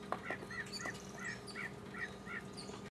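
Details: Mockingbird singing solo, recorded in 2015: a short arched note about eight times in quick succession, roughly three per second, over a steady low hum.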